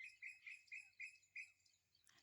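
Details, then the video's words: Birds calling in the evening beside a dry-season rice field: a run of six bright, high chirps, about four per second, steady in pitch. Then the chirps stop and a short rustle follows. A faint low hum runs underneath. "เสียงนกจ้ะเพื่อนๆฟังเสียงนกฮ้องเย็น"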